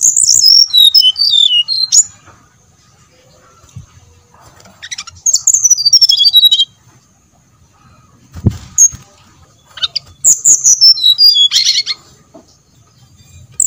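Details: Repeated song phrases from a brown-chested jungle flycatcher, played as a lure to get birds singing: cascades of high whistled notes dropping in pitch, separated by quiet pauses, with brief chirps and a low thump between phrases.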